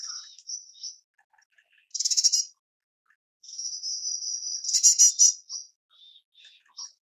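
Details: White-bellied erpornis (White-bellied yuhina) giving high, buzzy trilled bursts, a long thin level whistle between them, and scattered short high chips; quiet background.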